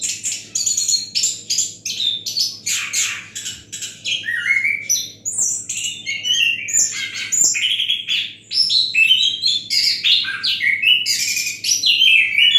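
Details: A long, relaxed song from an Orange-headed thrush showing the "gazing at the sky" style. Dense chattering, sweeping whistles and sharp clicks pour out almost nonstop, rising and falling in pitch, with only short breaks. A soft electrical hum underneath.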